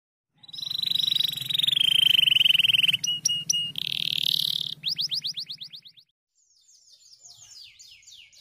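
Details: White canaries hopping on dry stalks, singing: a long steady high whistle held for over two seconds over a low hum, then clipped repeated notes, a fast run of downswept notes, a short pause and a softer rolling trill.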